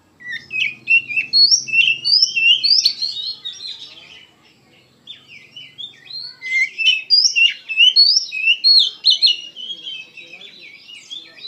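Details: Emotional gacor singing by an Oriental magpie-robin: two bursts of fast, varied whistles and chirps separated by a roughly two-second pause, with a faint low hum early on.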